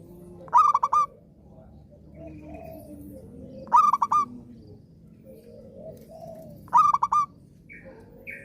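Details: Frequently singing Zebra dove, kept to prompt quiet doves into song: three crisp phrases of rapid pulsed coos about every three seconds over a low background hum and faint gentle warbles.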